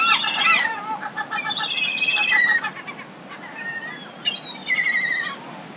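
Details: Noisy gull chatter from Pacific city birds: quick harsh yelps at the start, then drawn-out mewing notes and scattered squawks from several callers.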